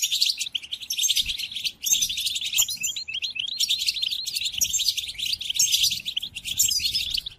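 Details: A European goldfinch's song for teaching captive goldfinches: lively, high, tinkling chatter delivered in rushing phrases with brief breaks near two and six seconds, bright chirps and wheezy trills.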